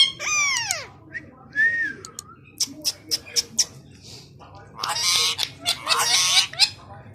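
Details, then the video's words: Two pet green parrots talk together in Urdu; a loud descending wail, a short whistled note, a row of sharp clicks, then bursts of harsh screechy chatter. "Talking parrots naughty couple of mian mithu funny talk each other"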